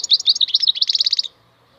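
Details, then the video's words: European goldfinch, maknine khalwi, giving a lively run of high twittering notes that speeds into an evenly repeated rattling trill before stopping. "MAKNINE KHALWI super chant مقنين خلوي"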